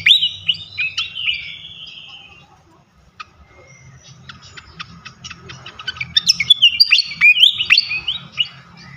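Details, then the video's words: Flycatcher lure song meant to make any flycatcher sing eagerly. Falling whistled phrases give way to a brief pause, then a fast burst of sharp clicks and twisting high chirps. A faint low hum lies beneath. "Auto Konslet gacor ngeplong sikatan manapun sekali pancing ini."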